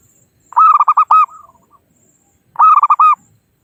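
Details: Local wild zebra dove calling to draw rivals, recorded as a trapping lure: a rapid string of cooing pulses, a trailing set of soft descending notes, then the phrase again after about two seconds.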